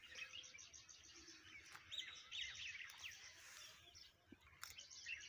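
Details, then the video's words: Birds singing on a garden morning, a dense mix of rapid high chirps and short whistled phrases overlapping, with a few clicks and soft rustling in the background. "morning in nature and birds sounds"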